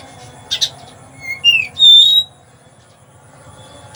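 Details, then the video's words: Caged oriental magpie-robin with sparrow imitation, from Palembang, Indonesia: two harsh chatter notes followed by a rising slurred whistle and a loud steady whistled note, then silence and one last chatter. "Kacer rasa gereja"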